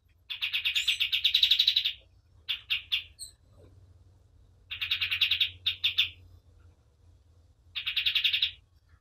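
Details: Short bursts of very fast high chattering trills from a white-eye, separated by pauses with a few scattered chirps, over a soft low hum.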